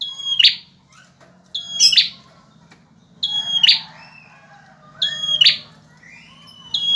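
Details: Actively singing male bar-winged prinia repeats a high, flat whistle that breaks into a loud buzzy chatter, four phrases about every one and a half seconds, with a faint low hum behind.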